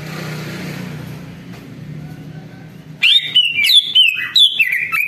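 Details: Greater green leafbird song played as a lure for other birds to answer: after a few seconds of low background hum, a bright burst of rich whistled phrases with rising and falling notes in quick succession.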